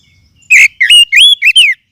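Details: Forest oriental magpie-robin lure sound for training birds: five loud whistled notes in under two seconds, first a buzzy one, then notes that wobble up and down.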